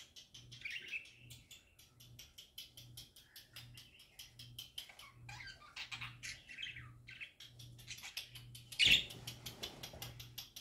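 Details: Parakeets singing happily, a busy stream of fast warbles and chirps mixed with rapid clicking and scratching, one sharp loud chirp near the end, a faint pulsing low hum beneath.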